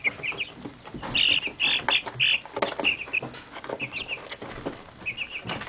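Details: Thirty-day-old chicks of mixed breeds in a brooder, just into their first molt, exploring and playing: scattered high, short peeps and trills among rustling and scratching sounds.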